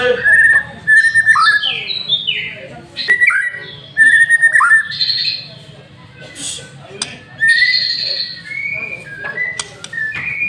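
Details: White-rumped shama lure song from a caged master bird: repeated short whistled notes, sliding phrases, harsh squawks and long high whistles in varied bursts, with a low constant hum.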